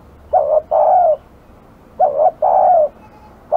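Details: Low, mellow coos of an aggressive village spotted dove: a short stuttered double note leads into a long, even, slightly descending coo, repeated twice, with a third phrase just beginning at the end.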